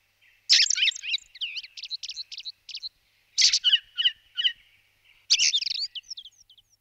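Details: Blue rock thrush song: three bursts of varied warbling, each opening with a loud rich note and running into quick rising and falling whistled twitters, phrases roughly two seconds apart against a quiet background.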